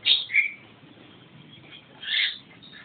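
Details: Short "gacor" phrases of a Javan myna: two quick shrill, squeaky notes, a quiet pause, then a rougher drawn-out burst.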